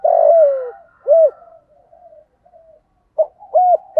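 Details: Spotted dove in 'giọng thổ' voice, used to draw other doves into calling: opens on a long, slowly falling croo, then a single rounded coo, a quiet stretch of soft notes, and a sharp note with a final coo.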